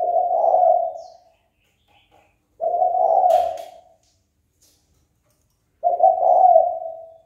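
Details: Spotted dove calling to incite a rival to fight. Three deep coos, each about a second long, separated by pauses of two to three seconds. A short sharp click sounds during the second coo.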